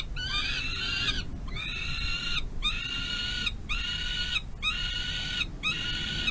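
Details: Peregrine falcon nestling calling while its mother feeds it on a nest-box runway, May 25, 2022. Six long, rasping, harmonic wails, each close to a second long and separated by short gaps, over steady low rumble.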